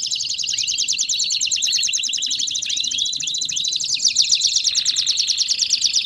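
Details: Baderna canary song used to excite and warm up other canaries, a dense, high, buzzy trilling run broken by quick downward whistled sweeps, steady and unbroken for the whole stretch, growing into sharper pulsed trills near the end.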